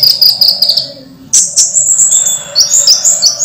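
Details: Moulting orange-headed thrush, caged, singing on: high sweet whistles and sliding phrases, varied and continuous, rich in mimic-like chirps, over faint background hum.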